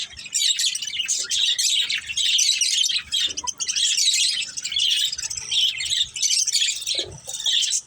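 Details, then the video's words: A pet budgie family chatters steadily, with rapid high chirps, buzzy trills and scratchy twitters, pausing only briefly now and then amid a faint low knock. "Beautiful Budgies Chirping Sounds"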